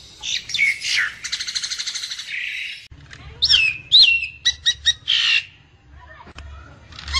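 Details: Asian pied starling calling: harsh scratchy notes and a fast rattling chatter, then clear rising and falling whistles, short sharp squeaks and a raspy burst, with quiet pauses between phrases.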